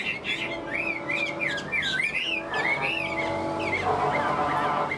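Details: Caged tame Chinese hwamei for sale, singing on: a string of looping, up-and-down whistles and warbled slurs, rising and falling phrases following one after another with a faint background hum.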